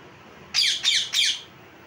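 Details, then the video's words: Three loud, grating squawks from a parrot, evenly spaced about a third of a second apart, each harsh and slightly falling. "Parrot Chirping Sounds | Natural Parrot Sounds | Parrot Calling Sounds"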